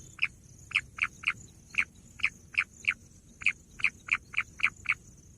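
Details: Bush quail calling: a brisk series of short, sharp notes, roughly fourteen in five seconds at uneven spacing, each a bright clipped chip; faint steady high hiss in the background and nothing else.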